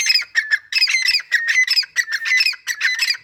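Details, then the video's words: Grey francolin, a male calling with his female, gives a fast, harsh, shrill series of grating notes, repeated rapidly with brief gaps throughout, loud and close. "Teetar Making Sounds | Teetar Voice"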